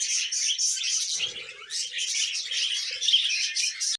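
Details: A group of pet budgerigars in constant busy chatter: layered high chirps, squeaky warbling and rapid twitters overlapping without pause, with a short soft low rustle just after one second.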